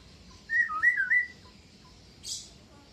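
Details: Pet Javan myna, about two years old, kept since young and able to mimic several sounds, gives one wavering whistled phrase of rising and falling notes near mid pitch, followed by a brief hiss.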